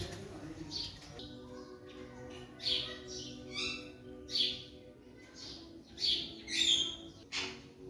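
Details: Young Alexandrine parakeet, a raw parrot learning to talk in 2023, giving short high chirps and squeaky notes at irregular intervals over a steady tonal hum in the background.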